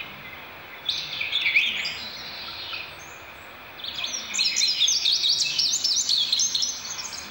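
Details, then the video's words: Indigo bunting singing two separate phrases, each a bright, high series of quick slurred notes, some falling, some doubled, with a pause of about a second between them, against a light hiss. "Bird Song Indigo Bunting"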